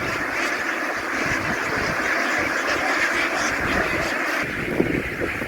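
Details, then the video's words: A flock of ducks running ashore and boarding a boat, giving a dense, continuous buzzing murmur of many overlapping quacks, likened to a swarm of bees, with a brief sharp knock near the end. "The ducks ran ashore, making a noise like a swarm of bees as they boarded the ship."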